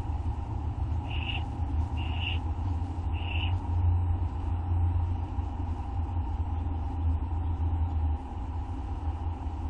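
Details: Owls at feeding time near midnight, August 2011, on a live camera; three brief raspy screeches about one second apart, then only a continuous low rumbling hum.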